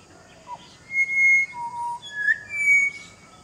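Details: Pied butcherbird singing in a garden, part of a family with a partner and a mottled juvenile; clear, pure flute-like whistled notes at varied pitches, one low, several high, one sliding upward, in a quiet setting.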